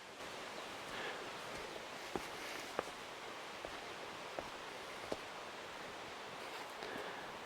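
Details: Steady outdoor hiss with rustling leaves and a few sharp clicks like footsteps or snapping twigs; no clear animal voice.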